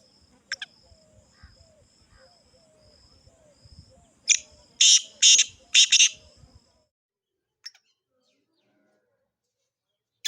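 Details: Black francolin, Sindhi type, giving a rasping call of one sharp note followed by three broad grating bursts, the final pair run together, then near silence.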